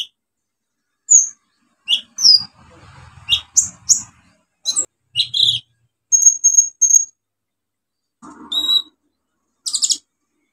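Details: Olive-backed sunbird singing vigorously as a lure for birds that have stopped singing: irregular high chirps, a few thin level whistles and clicks, with soft low rustling in places.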